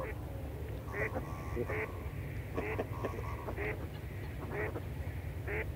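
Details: Goosander (Mergus merganser) calling: short, harsh, nasal notes given in a loose series about once every half second to second, over a steady low rumble of wind or water.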